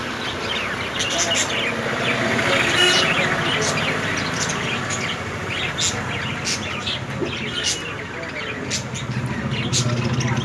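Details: Pet Indian ringneck (rose-ringed) parakeets, yellow with white necks, give busy, overlapping sharp chirps and short squawks, several a second, over a steady hiss of background noise.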